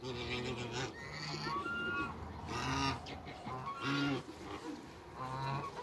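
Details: Toulouse geese, two males and a female, in a backyard alongside other waterbirds, calling with deep nasal honks spaced a second or so apart, mixed with higher thin squeaky notes from other birds.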